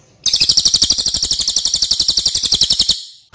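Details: Cililin, a loud crow relative, in a recording used to train other songbirds: one fast, harsh, buzzy trill of about ten evenly spaced pulses per second, high-pitched and lasting nearly three seconds, then stopping abruptly.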